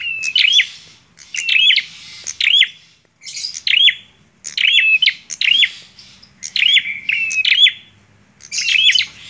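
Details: Bar-winged prinia song of sharp flicking chirps, some preceded by a brief level buzzy trill, coming in bursts separated by short pauses.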